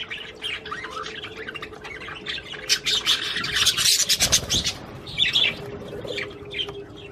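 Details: Budgerigar song meant to encourage a female to mate, a rapid chattering warble that swells into a dense burst of harsh scratchy notes midway, then eases into softer chirps over a faint hum.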